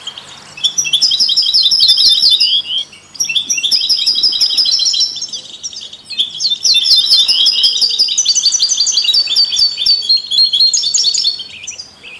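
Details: Goldfinch singing to stimulate other songbirds: long, energetic bouts of rapid twittering and rolling trills, briefly interrupted twice, with the song carrying on strongly to the end.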